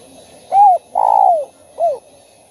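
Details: Cooing of a kept spotted dove, played to stimulate other doves to call. Three hollow coos run close together: a short arched note, a longer coo that slides downward, and a brief curved coo at the end.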